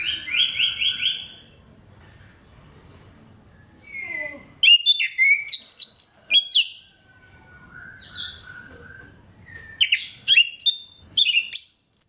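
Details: Orange-headed thrush singing a clear, vigorous song meant to prompt other thrushes to sing: a fast trilled series, then varied whistles, sharp chirps and slurred notes mixed with mimicked-sounding phrases, over a faint low hum.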